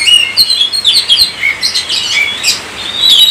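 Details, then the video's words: Oriental magpie-robin in continuous, lively song, a stream of whistled notes that rise and fall, with bright slurred phrases and short chirps following one another quickly. "Kacer COVID-20 mampu sebarkan virus gacor kacer Anda"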